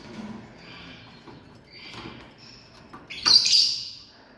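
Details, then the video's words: Lovebirds in a family group; faint high chattering early on, then one loud shrill squawking burst near the end, with a short sharp tick before it. "Love Birds 🔴 Sounds"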